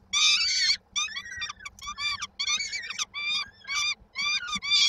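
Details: Peregrine falcon chicks at a nest in Koszalin, Poland, on 19 May 2022, waiting for their mother to bring supper. They give harsh, wailing begging calls in bursts of about half a second, with several voices overlapping and short gaps between.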